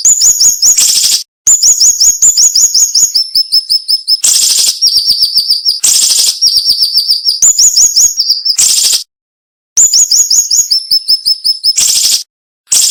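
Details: Cinnamon-bellied flowerpecker singing in sharp, dense bursts with short pauses, a style sought for training songbirds. Rapid repeated high chips, slurred rising notes and steady high trills run in phrases, split by brief hissy bursts and silent gaps.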